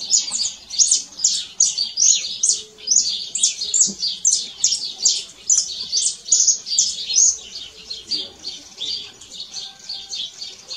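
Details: Canary singing in nature with a long, continuous series of high, bright twittering trills in a steady pulsing rhythm, faint low tones occasionally audible beneath.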